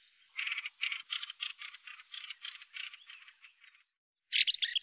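A Fieldfare gives a dry, harsh chatter of about a dozen rapid chack notes that slow and fade, then a last loud rasping burst.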